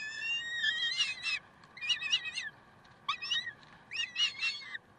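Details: Short, grating chattered calls from peregrine falcons in Karlsruhe, recorded 30 May 2010, coming in quick clusters of two or three notes separated by brief pauses.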